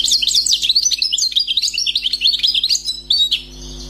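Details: Freshly trapped wild European goldfinch with a flowing song of rapid, tinkling, high twitters and short whistles for over three seconds, ending with a few separate notes.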